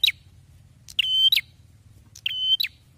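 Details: Prinia in full loud song: two drawn-out buzzy notes, each opening and closing with a crisp click-like stroke, separated by about a second of quiet apart from a soft hum.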